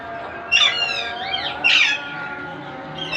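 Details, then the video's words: Monk parakeet chicks being hand-fed, calling for food: two loud, harsh, arching squawks with rich harmonics, separated by about a second, over steady humming background tones. "Monk Quaker parrots babies growth feeding"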